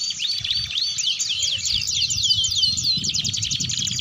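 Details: Canary master recording of gacor and ngeriwik singing, used to coax young canaries into learning to sing: a dense, continuous high trilling of rapid repeated notes, over a low rumbling background noise.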